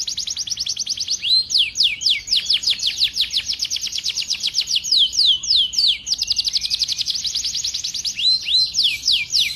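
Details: Songbirds in a training song mix of cucak jenggot, cililin and canary: rapid, high whistled notes sweeping downward in fast repeated series, about four per second, forming continuous bright trills with brief changes in phrasing.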